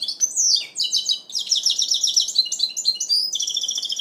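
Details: Goldfinch mule in its first moult, recorded in 2012, singing a fast, continuous twittering song of high, tinkling notes, with bright slurred whistles and rapid trills running without a break.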